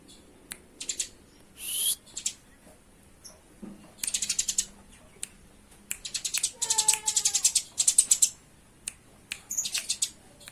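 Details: Eurasian tree sparrows in a fight: dense rattling chirp series, a drawn-out squeal near the start, and a brief lower tonal note in the middle.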